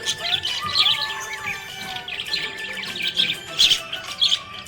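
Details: Budgerigar chirping, described as happy. Continuous busy high twittering and chattering with bright bursts of warbled notes, steady throughout, and faint music-like tones in the background.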